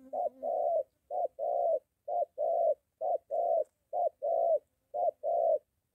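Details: Spotted dove, a moulting decoy bird being trained near home in Gia Lai, Vietnam, meeting a wild dove: low cooing in pairs, a short clipped note then a longer drawn-out coo, repeated about once a second.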